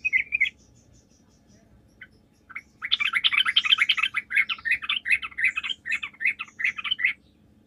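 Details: Sooty-headed bulbul singing as a lure for other bulbuls. A brief chattering phrase is followed by scattered chirps, then a sustained four-second stream of rapid, bubbly, chattering notes repeated in quick succession.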